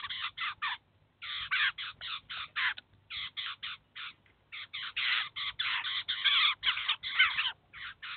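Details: At a cheese feeder in the city of Kaluga, a Eurasian jay brings its chicks and feeds them. Rough, scratchy screeches come in uneven runs, growing louder and denser toward the end.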